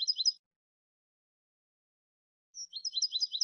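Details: Goldfinch song in two short bursts of quick, high twittering notes, the second opening with a thin whistle before rapid repeated chirps.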